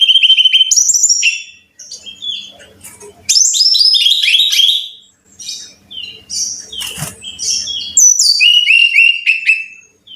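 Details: Long sequence of brown-chested jungle flycatcher song for training caged birds: repeated stuttering trills, sweeping slurs and rich jumbled phrases in several bursts, separated by brief quiet gaps.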